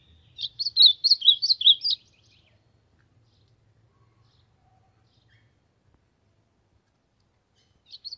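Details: Ultramarine grosbeak singing to warm up, a fast two-second burst of warbled whistled notes jumping up and down, followed by a long silence and the start of another phrase.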